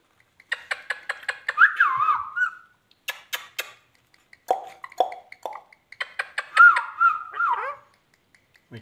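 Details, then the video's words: Indian ringneck parakeet talking, repeating a word like "mitho" in rasping, speech-like bursts mixed with sharp clicks and warbled whistles that dip and waver, in short runs over about nine seconds in a quiet room. "amazing ringneck talking"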